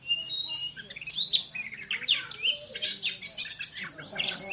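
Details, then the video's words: Oriental magpie-robin, a champion bird delivering fast 'tembakan' song: high whistles and squeaky trills crowded together, harsher scratchy notes mixed in, continuous and busy throughout, over a soft low hum. "KACER JUARA SUARA TEMBAKAN !!! BURUNG KACER NEMBAK SPEED RAPAT"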